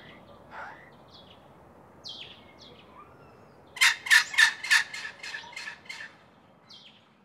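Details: Red wattlebird with a juvenile being fed: scattered soft, rough notes over faint background hiss, then a short series of loud, grating chacks about four per second that fade away.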